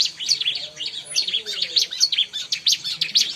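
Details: Bar-winged prinia song used for luring birds: a continuous run of quick, high, scratchy chirping notes repeated rapidly without a break, with a faint low hum underneath.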